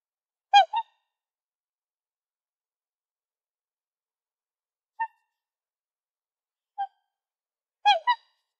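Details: Black swan giving loud, nasal, trumpet-like two-part honks near the start and again near the end, with single short softer notes in between, separated by long silences; no other sounds.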